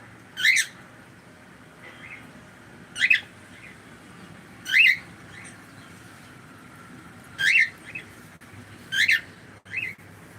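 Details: Pet cockatiel chirping over and over, five sharp harmonic calls about every two seconds, some followed by a softer echoing note, with a faint indoor hum behind.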